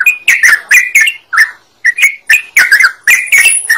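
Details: Lively yellow-vented bulbul in full chattering voice, used as a lure to set other birds singing: bubbly, warbled notes in quick bursts, some gliding up and down, with a brief gap before the phrases resume.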